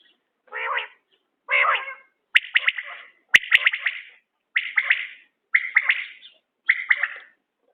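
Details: Common quail, heard in a quail-hunting setting, giving rhythmic three-note calls about once a second, crisp clicking pulses following two lower, harsher opening notes; a couple of sharp ticks break in.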